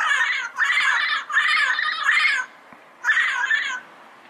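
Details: Yellow-headed parrot producing long, drawn-out grating screeches joined almost continuously, then a short gap and one more extended raspy call.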